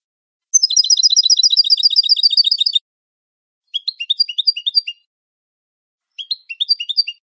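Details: Clean European goldfinch song recorded for training birds: a fast, even trill of bright high notes lasting about two seconds, then two shorter phrases of varied tinkling, twittered notes separated by silence, with no background noise.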